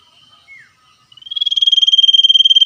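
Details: Wild common iora in lively 'ngetir' song, exchanging calls with wild birds; a faint short downslurred note, then a steady high trill of fast even pulses begins and runs on to the end.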